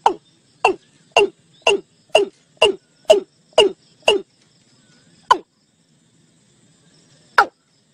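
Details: Watercock (gà đồng, cúm núm) calling to lure the flock into a net: a series of short, sharp, knocking notes that drop in pitch, about two per second, then slowing to two spaced notes.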